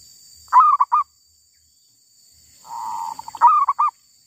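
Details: In the wild, a female zebra dove utters a loud broken coo, then after a gap a steady purring trill leading straight into another emphatic stuttering phrase.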